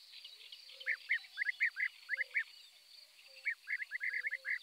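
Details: Eurasian tree sparrow (Passer montanus) giving two bursts of quick, repeated chirps separated by a short pause, against a faint steady background hum.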